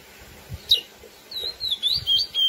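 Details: A lesser seed finch (curió, Sporophila angolensis) sings its classic song, used to stir females, a flowing run of clear, high whistled notes sliding up and down, with one sharp note just before the phrase.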